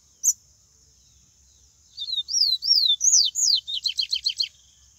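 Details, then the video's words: Wild yellow-bellied seedeater singing in the Bahian (baiano) style: a sharp opening note, then a pause, then high whistled slurred phrases rising and falling, ending in a quick series of five short descending notes. A steady high hiss runs throughout. "papa capim baiano canto selvagem"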